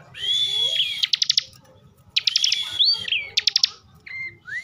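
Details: Ciblek or bar-winged prinia from Tegal, Central Java, singing ngebren: a long whistled buzzy note, then bursts of rapid clicking pulses, upslurred whistles and a short falling phrase.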